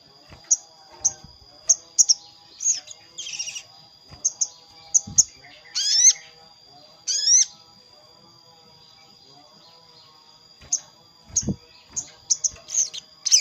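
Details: Sogon calling a rival, used to lure wild birds: scattered high chirps, a few loud descending squawks, a quiet pause, then more chirps, with a constant thin high whine and faint thumps.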